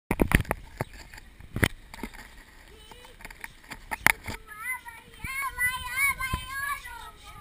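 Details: Parakeets at a zoo in a feeding frenzy over food on a stick chatter in quick, warbling, rising-and-falling chirps after sharp knocks and clatter, while people talk nearby.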